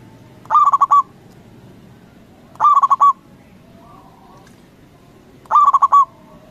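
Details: A strong-voiced local zebra dove is used as a lure to make other doves answer. Its cooing phrases of five fast, pulsed notes come three times, roughly every two and a half to three seconds.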